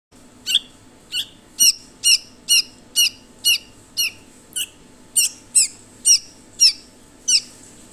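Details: Red-vented bulbul chicks growing up in their nest give about fourteen short, high, squeaky notes, roughly two a second, over a low indoor hum.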